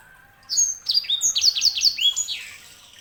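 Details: Sanger canary hybrid delivering one continuous phrase of clear, high whistles, each note sliding downward, strung together quickly and briskly for about two and a half seconds.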